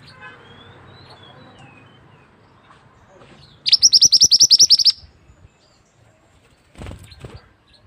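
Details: Single burst of fast, ringing high chirps from a mantenan bird, recorded as tutor song for other birds, preceded by faint thin whistles and followed by a brief low thump.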